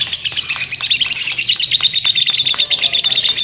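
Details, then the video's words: Shrill, fast chatter from a lovebird performing ngekek panjang, its long unbroken chattering song, with dense trilled chirps pulsing roughly three per second throughout. "burung lovebird ngekek panjang"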